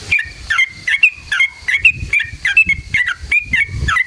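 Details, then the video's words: Sooty-headed bulbul singing as a lure to make other bulbuls sing: clear whistled notes with a short dropping tail, repeated a little over once per second, with low rumbling in the background. "SUARA trucukan gacor JITU NGALAS ROPEL PANJANG buat PANCINGAN agar burung trucuk gacor EMOSI"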